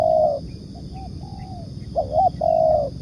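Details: Spotted dove 'ngukuk' coo as bird-trapping lure: a sustained coo, two soft shorter notes and a gently falling one, then a wavering doubled note leading into a long level coo, over a low hum.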